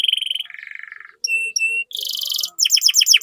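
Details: Canary song meant to stimulate other canaries: a steady buzzing roll dropping to a lower rattle, two short whistled notes, a harsh high trill, then a quick series of downslurred notes.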